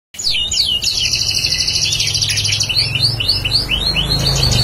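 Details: Bar-winged prinia in lively song, a bird being kept as a future lure: a long high buzzy trill, then a series of quick repeated sharp rising notes, about two per second.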